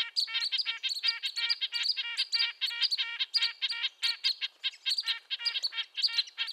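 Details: Red-breasted nuthatch (Sitta canadensis), call.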